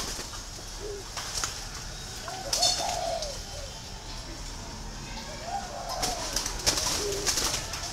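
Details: Green pigeon voice: arched, fluting whistles, each swelling up and sliding down, heard in two phrases separated by a pause, with lower short notes between them and sharp clicks and rustles around.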